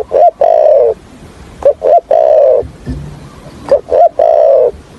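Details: Trapping decoy spotted dove giving its stammering 'thổ' coo: repeated phrases of two short notes and a long wavering coo, roughly every two seconds, with a brief low thump in between.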